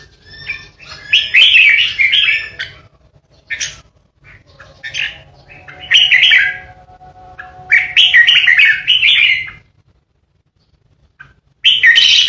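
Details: Caged decoy red-whiskered bulbul kept for song contests, giving harsh 'ché' fighting song: bursts of buzzy, scratchy notes in four loud phrases separated by pauses, with a fainter thin whistle in between and a low steady hum behind.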